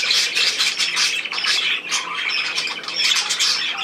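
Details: Several budgerigars chattering together: rapid, overlapping squawks and chirps in quick bursts, busy and unbroken throughout.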